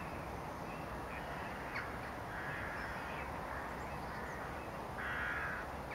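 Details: Possible Caspian gull (Larus cachinnans), third/fourth-winter, at Lac de Maine, Angers, France, 15 January 2016: two harsh, drawn-out calls about two seconds apart, against steady low rumbling background noise.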